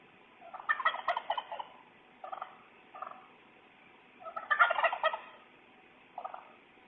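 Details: A wild turkey in a home's yard, caught on a security doorbell camera while strutting, gobbles twice, each a loud, rapid, rattling burst about a second long, with short throaty bursts after each.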